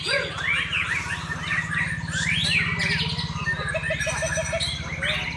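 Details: White-rumped shamas singing against each other: quick rising and falling whistled phrases over a steady low mechanical hum, with a short run of evenly spaced low notes toward the end.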